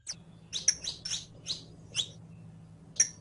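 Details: Saffron finch meant for teaching a captive bird its song: a handful of high twittering chirps in a loose cluster, then a pause and one final note, over a low electrical hum.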